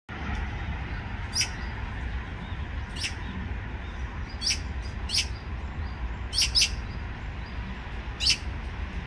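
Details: A short-tailed young Eurasian magpie follows its parent begging for food, giving short, harsh, rasping calls about seven times at uneven one-to-two-second intervals over a steady low rumble.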